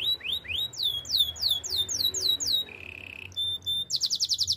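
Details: Canary song meant for training canaries: a run of swooping whistled notes, a short flat buzzy trill, a thin high tone, and a closing burst of fast rattling notes.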